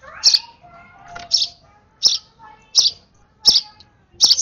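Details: An excited young sparrow being hand-fed repeats bright, piercing chirps about every three-quarters of a second, ending in a quick double chirp.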